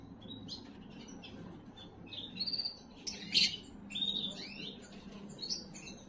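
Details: Canary singing to stimulate females: soft, fairly faint phrases of thin high whistles and quick slurred notes, with one brief louder burst near the middle, over a low steady hum.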